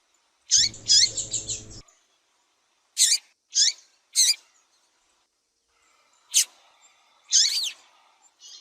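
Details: A female double-collared seedeater gives high, sharp chips meant to stir males into song, opening with a quick buzzy run of notes, then single and paired chips spaced about half a second to several seconds apart.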